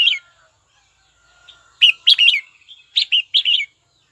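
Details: Red-whiskered bulbul, a caged songbird, sings to challenge a rival with two bursts of quick, bright warbled notes, each burst of about four syllables, after a quiet opening.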